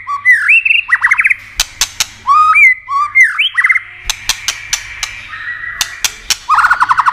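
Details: Singing White-rumped shama used to stimulate rivals: repeated upswept whistles breaking into quick trills, a steady held tone, loud clicking snaps, and a rapid buzzy trill at the end.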